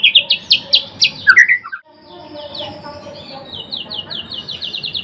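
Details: Murai batu (blorok) singing: a loud series of high, sharply repeated notes and a twisting whistle, then a quieter run of rapid high chips repeated steadily.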